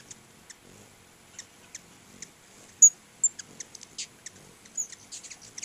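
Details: High, thin hummingbird chips, spaced irregularly and rising into a quicker cluster near the end, from a crowd of hummingbirds visiting two feeders by a house.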